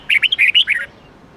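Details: A short phrase of about seven sweet, warbled whistles, each note bending up or down, from a red-whiskered bulbul performing the 8-9-10 note twisting song used to train bulbuls to sing every day.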